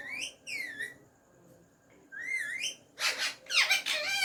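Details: Hand-tame pet rose-ringed parakeet speaking Urdu/Hindi phrases such as "Mian Mitthu"; several rising whistled, speech-like syllables, a pause, then loud harsh raspy bursts toward the end.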